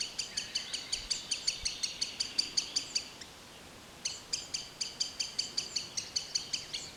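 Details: Green sandpiper in woodland giving quick, bright, clicking ticks, close to three each second, that pause for about a second midway and then resume at the same pace.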